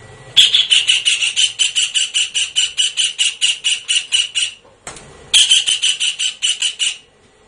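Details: Blue-eared kingfisher call used for luring birds: a long, fast train of high, squeaky notes lasting over four seconds, then a brief break and a shorter second run.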